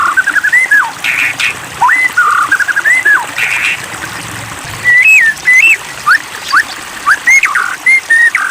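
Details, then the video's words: White-rumped shama song, provoked into singing: rich clear whistles that rise and fall, looping slurred notes in varied phrases separated by short pauses, with a few harsh chattering bursts. "Pancingan Murai Batu !! Terbukti Ampuh Memancing EMOSI Murai Batu Agar Bunyi Gacor !!"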